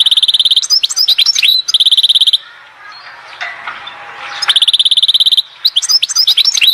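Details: Goldfinch song recorded at Oued Zhour in Skikda: fast runs of identical high ticking notes alternate with twittery slurs, with a quiet pause of faint background murmur in the middle before the rapid chipping resumes.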